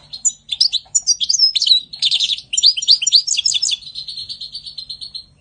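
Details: Spring 2020 European goldfinch delivering a bright, continuous song of rapid liquid twitters, rolling trills and slurred whistled notes, tapering into a softer, evenly buzzing run at the close.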